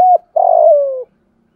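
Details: Decoy spotted dove calling to lure wild doves. One short, low coo is followed by a longer, throaty coo that slides slowly downward. There is silence after it.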